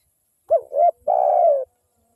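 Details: Spotted dove phrase from a lively local wild bird, played to draw other doves: a short note, a rounded coo, and a long, slightly vibrating coo easing lower, with no other sounds.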